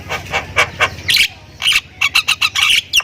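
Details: Javan myna, Thailand type, in chattering song: a few soft, muffled notes over low background rumble, then loud raspy squawks and a quick run of sharp chirps.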